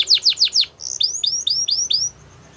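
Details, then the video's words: Training song of a Gloster canary: four quick falling notes followed by a run of upslurred whistles repeated about five times per second. "Gloster Canary Singing | Canary Training Song"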